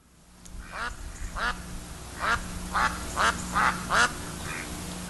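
A Mallard gives a run of about eight harsh, nasal quacks, roughly two a second, growing louder toward the end over a faint steady hum.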